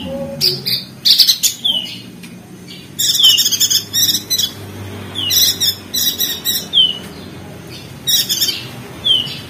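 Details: Lombok crested white-eye, West Nusa Tenggara, singing 'ngeriwik' style for training sluggish caged birds: short groups of sharp down-slurred high whistles mixed with scratchy, buzzy chatter, coming in bursts with brief pauses between.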